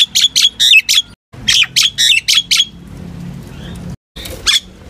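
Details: Common myna flock-calling song of rapid harsh chirps and a bent whistled note in two short bursts, separated by a pause with faint low hum.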